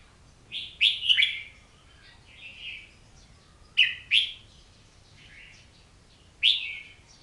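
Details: An Oriental magpie-robin sings spaced phrases of loud, sharp whistled notes, each followed by softer warbling and downslurred tones, with quiet pauses between bursts.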